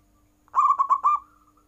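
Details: Domestic zebra dove calling strongly so rivals answer: a rapid string of four coo notes with the last stretched out, followed by a faint fading tail.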